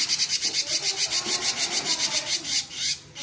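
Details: Cinereous tit singing in the rapid 'gacor konslet' style: a fast run of high, harsh, rasping notes, roughly six per second, continuing steadily for about three seconds before trailing off.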